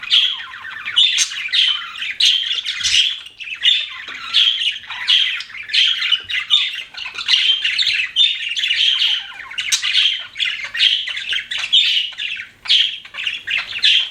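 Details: Pet budgerigars keep up a long stream of chirping, steady buzzy warbles and short squawks repeated in quick pulses, with scratchy trills and rapid twitters running without pause across the whole stretch.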